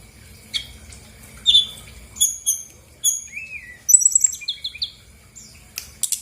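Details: Female brown-chested jungle flycatcher used as a song lure for lazy birds: scattered clear whistled notes, a downward slurred tone, then a quick rattling series of high chips and short notes.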